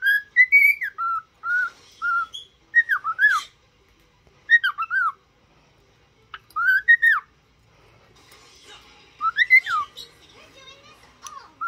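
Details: Happy cockatiel trained to sing whistles looping phrases of arched, downslurred notes separated by pauses, with faint background hiss building toward the end under the final whistles.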